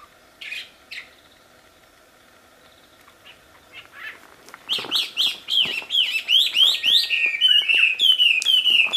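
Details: Wambi singing in the wild, loud and melodious: a few soft chips open, then from about five seconds a fast, loud run of high whistled notes, each sliding down, repeated several times a second.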